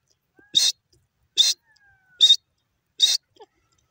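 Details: Grey francolin pair, known as teetar, giving four harsh, bright calls spaced under a second apart, each short and even in pitch, with a faint whistle and small clicks between them.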